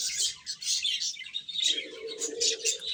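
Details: Baby chickens chirp while eating: a dense chorus of high, thin peeps overlapping one another, with a brief clear whistled note midway and a low hum underneath in the second half.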